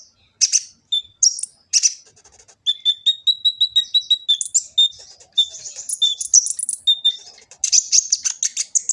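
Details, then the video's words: Kolibri ninja sunbird recorded in Gresik with an Android phone, sung as a master song for training: a rich medley of sharp chirps, a rapid series of repeated mid-pitched whistles, and long shrill twittering runs. "Kicau burung kolibri ninja full isian cocok untuk pancingan & masteran burung konin jadi gacor"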